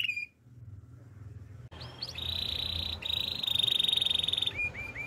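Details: Belgian canary singing in the morning, a short upward note, then a sustained buzzy rolling trill held for several seconds, ending in rising chips, over a steady low hum.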